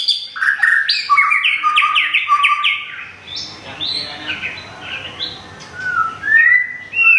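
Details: Kept white-rumped shama from Thung Song, Thailand, recently moulted; rapid series of bright whistled notes stepping up and down, followed by quieter warbles over background rumble, ending with loud slurred whistles.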